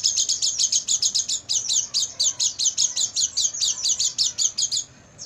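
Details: Oriental white-eye night song meant for training caged birds, a long even series of sharp, very high chirps, around five per second, ending in a brief thin whistle and quiet.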